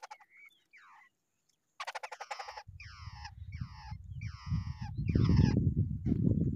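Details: Wild babblers together at the nest: a raspy rattle, then a run of harsh, buzzy downward-sliding calls about every half second, with growing low rumbling noise.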